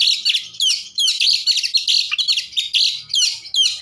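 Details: Oriental magpie-robin lure song for rousing other magpie-robins: a nonstop, fast jumble of high chirps, slurs and trills in short bursts, clear and loud throughout.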